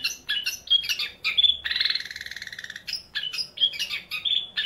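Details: Eight-month-old young male long-tailed shrike, caged, in full varied song meant as a tutor for other birds; rapid mix of squeaky whistles, clipped chirps and a rasping buzzy trill, continuous throughout.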